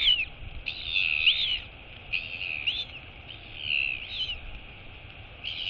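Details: Royal albatross chick, a female, wheeing on 23 August 2022 after her mother lands to wake and feed her. Arched, whistled wheee notes rise and fall, several in sequence with short gaps, over a steady high hiss.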